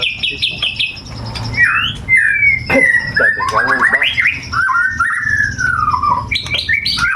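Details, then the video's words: White-rumped shama, a kept songbird in Indonesia, tutored with the songs of other birds, delivering a loud, varied song of slurred whistles, rising and falling sweeps, rapid trills and sharp high notes, with hardly a pause. "murai batu isian brewes/cucak jenggot"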